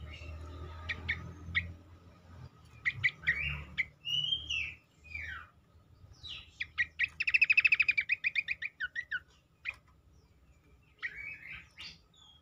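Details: Cingcoang lure song to make other cingcoang more vocal: scattered sharp chirps and swooping slurred whistles, then a loud rapid trill, with low background rumble.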